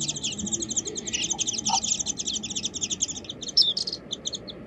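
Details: Warbling white-eye chattering in a rapid continuous series of high twittering notes, dense and jumbled, over a low steady background hum.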